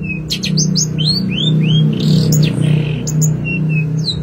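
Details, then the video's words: A long-tailed shrike sings a varied song of quick, high chirps and short rising and falling whistles in irregular bursts, over a steady low hum; the recording is used as a training song for other songbirds. "tembakan mewah burung Cendet"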